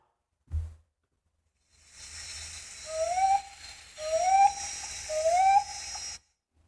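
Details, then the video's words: Common ground dove giving three soft, rising coos about a second apart, each a gentle upslurred note, over a steady hiss; soft, repetitive and higher, faster than a mourning dove's call. "That's right, it's the common ground dove."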